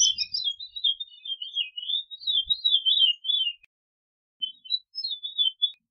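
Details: Veery song: a long run of wavering, fluty whistled notes swirling at a high pitch and drifting slightly lower, then a pause and a shorter, quieter swirling phrase.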